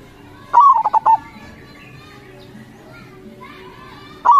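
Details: Local zebra dove, its call used to lure other local zebra doves to answer: a mellow cooing phrase of one long note and three short rolling coos, a quiet pause with low hum, then the next phrase beginning.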